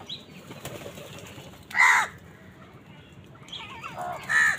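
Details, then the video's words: Two loud, hoarse crow caws stand apart a few seconds from each other as crows fight wild birds for food, with quieter chatter between and a steady hiss. "Crow bird crowing sound | Crows fight with wild birds for food"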